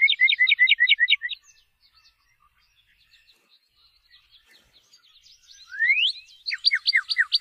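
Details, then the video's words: A Northern Cardinal sings a quick run of about eight loud, clear slurred whistles, then a soft pause, then a rising whistle and a string of falling down-slurred notes. "BURUNG KARDINAL MERAH - SUARA KICAUNYA"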